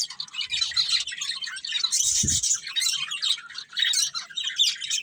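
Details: Chirping from a caged budgerigar breeding pair: scratchy high warbling chatter, rising to a sharper burst midway, with one low thud.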